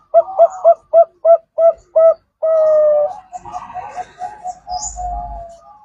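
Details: Zebra dove lure recording for trapping, Bangkok and local types: a row of short, evenly spaced cooing notes, then a long drawn coo and a looser run of softer, wavering notes.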